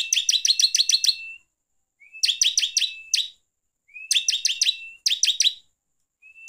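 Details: Bar-winged prinia song used to excite other prinias: four short phrases, each a brisk string of crisp chirps over a steady whistle, some introduced by a brief upslurred note, with short silences between.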